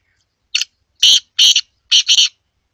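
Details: Black francolin, known locally as kala teetar, calling: one short harsh note, then four louder rasping, buzzy notes in two pairs, all within about two seconds, with silence between and no other sounds.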